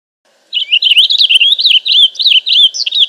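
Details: Loud, close purple finch song: a fast, rolling stream of warbled, twisting notes that keeps going without a break, with a faint low hum underneath.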